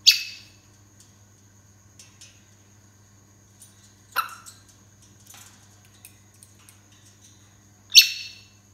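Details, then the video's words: A pair of African grey parrots at bedtime at night give three harsh, loud squawks about four seconds apart, with soft chatter and a low indoor hum between them. "African grey parrot couple night time sounds"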